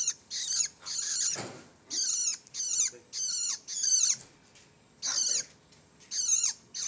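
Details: Juvenile long-tailed shrike repeating high, rasping, hoarse calls, each roughly half a second with falling overtones, at irregular intervals; a soft thump and faint background hiss sound between the calls.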